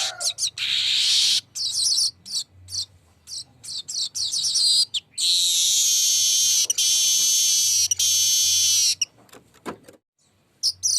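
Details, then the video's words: Long rolling weaver song, opening with rapid high chattering bursts, then a steady, dense buzzing trill held for nearly four seconds before breaking into scattered clicks. "NGEROL PANJANG BURUNG MANYAR"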